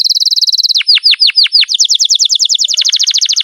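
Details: Pet canary in long rolling song meant as a lure for other canaries: fast high trill, a run of deep descending whistled sweeps, then rapid repeated chirping notes continuing steadily.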